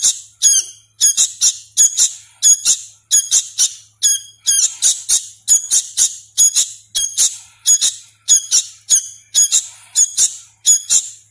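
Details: Sooty-headed bulbul chick being raised by hand and still learning sounds, giving a continuous series of scratchy, piercing squeaks, mostly in pairs, with almost no pauses.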